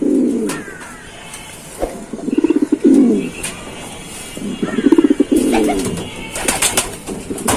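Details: Giribaz pigeons giving deep, burbling coos in two or three rolling bouts, with scattered clicks and knocks in the background.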